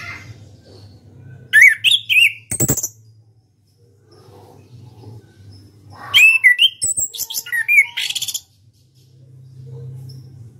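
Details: National champion orange-headed thrush singing ngeplong style: two bursts of loud varied song about four seconds apart, rich slurred whistles mixed with sharp chips and rapid twittering, with a few sharp clicks and a low hum between phrases.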